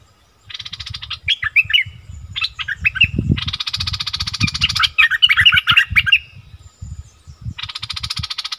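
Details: Heated quarrel between wild striated bulbuls, 8 February 2021: long grating buzzes overlap fast twittering whistled notes, over steady low-pitched background rumbling.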